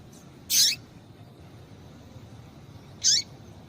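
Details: Calling of a female rusty-collared seedeater, used to stir up a male. Two brief, sharp, high-pitched notes sit about two and a half seconds apart, with near silence between.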